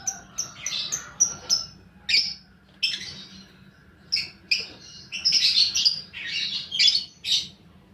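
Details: Lovebird lure recording for fighter lovebirds, opening with quick high sharp chirps, then bursts of shrill, squeaky chattering growing denser toward the end.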